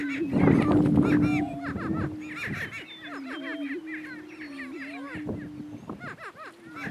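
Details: Two male greater prairie chickens contest dominance on a lek in northeast Kansas; a low, level moaning hum carries for several seconds, broken near the end, while rapid rising cackles and whoops repeat about four per second.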